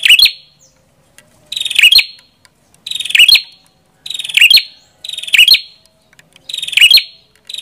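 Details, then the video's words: Repeated song phrases of the prenjak kepala merah: a pulsed high buzz ending in a sharp, piercing chip, given six times at steady intervals of about 1.2 seconds in near silence. "Suara Burung Prenjak Kepala Merah"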